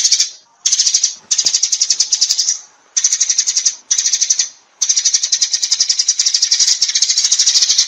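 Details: Sparrows summoning their flock with long runs of rapid, sharp chirps in four or five sustained bursts, broken by brief pauses.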